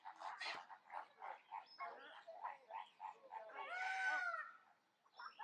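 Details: Male black-casqued hornbill giving a rapid series of nasal, honking notes, several per second, then a longer, louder braying note.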